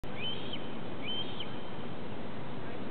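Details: Two young red-tailed hawks on the Plant Science stacks at Cornell, on 30 July 2013 at 8:05 pm, cry at the hawk Ezra: two thin, high slurred cries about a second apart, over a steady low rumble.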